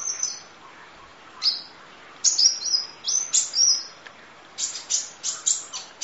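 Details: High-pitched kolibri ninja sunbird song from a long masteran track in full 'isian nembak' style: thin whistles and squeaky slurred phrases, ending in a fast series of sharp repeated chips.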